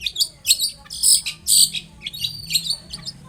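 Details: Lively long-tailed shrike song used to provoke a reply from other shrikes: loud, high, harsh chirps and squeaky whistles in short bursts, then softer chattering notes.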